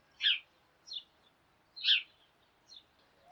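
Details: Morning calls of a sparrow flock: alternating louder and softer chirps over a faint, steady background hiss.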